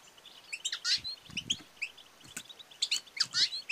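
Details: Female European goldfinch batbata and satsata twittering, meant to stimulate male singing and mating; rapid high chirps and buzzy twitters in two dense bursts separated by a short pause.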